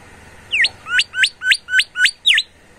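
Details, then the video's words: Bimoli singing energetically, a rapid series of seven loud whistled notes: a falling opening slur, five quick rising upsweeps evenly spaced, and a closing downward slur. "SUITAN FARIASI SUARA BURUNG BIMOLI GACOR"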